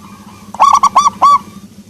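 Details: A single short phrase from a local zebra dove with a soft voice: four mellow, hollow coos in quick succession, each swelling and dipping at the end, with a faint hum underneath.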